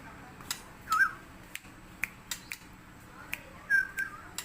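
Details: A Medan white-rumped shama gives a few brief, sweet whistled notes spaced about a second apart, rising and slurred, amid sharp clicks and taps in a quiet room.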